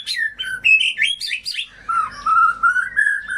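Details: White-rumped shama song played as a lure for birds that went quiet or sing too little: quick varied rising and falling whistled phrases, then a steadier run of lower, fluty notes repeated in a rhythmic chain.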